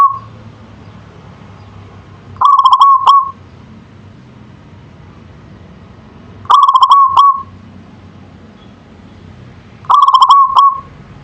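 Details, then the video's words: Local zebra dove (perkutut) singing manggung: the tail of one phrase, then three stuttering coo phrases spaced about four seconds apart, each with quick pulses and a short drawn-out ending. "Suara Perkutut Lokal Manggung"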